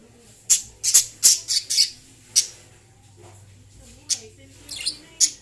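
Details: Lovebird chirps and singing sounds: a quick cluster of harsh, high-pitched squawky chirps, a short pause with faint background murmur, then a few more scattered shrill chirps.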